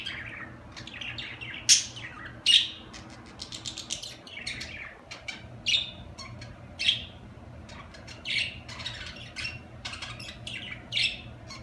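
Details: Budgerigars chatter steadily in a dense run of quick chirps and warbles, with louder sharp chips popping out about every second or two.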